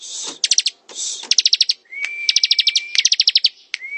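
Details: Ngebren-style song of a bar-winged prinia: brief hissing bursts, then repeated runs of rapid high chips, one run laid over a long, level, thin whistle.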